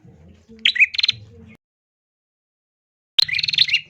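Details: Female bar-winged prinia, whose calls are used to make males sing. Two choppy, buzzy trilled phrases with slurred notes are separated by an abrupt silence. Low hum sits under the first phrase.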